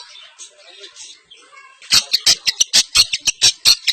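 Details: Semi blangkon pentet from East Java, shown in champion style: quiet soft chatter, then a rapid burst of sharp harsh notes repeated several times a second.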